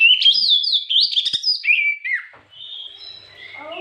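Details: White-rumped shama singing in the afternoon as a lure to provoke other birds: loud rich whistled phrases sliding up and down, rapid varied notes, then fading into softer sustained whistles.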